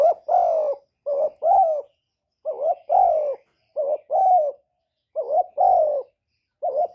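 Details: Spotted dove cooing in a series from a recording of calling, urging and cooing: repeated paired phrases, a brief wavering note then a longer mellow hoot, about six pairs within seven seconds with short gaps between.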